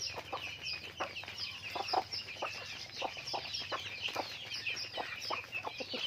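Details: Chickens on a farm keep up a soft chatter of quick clucks and high peeping chirps, steady and unbroken.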